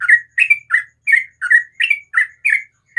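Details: Sooty-headed bulbul in the morning giving loud, rich bubbly notes, each a quick rising-falling slur, repeated steadily about every third of a second.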